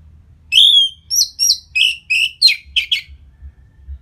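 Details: Orange-headed thrush song used to make birds more eager and aggressive after moulting. A long, clear whistle opens, followed by a quick sequence of shorter whistled and buzzy notes that fade out.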